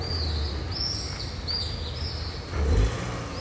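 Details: Pallid swifts (Apus pallidus) flying over downtown Thessaloniki, Greece, on 20 July 2023 give thin, high, drawn-out screams in quick succession over a steady, low city traffic rumble.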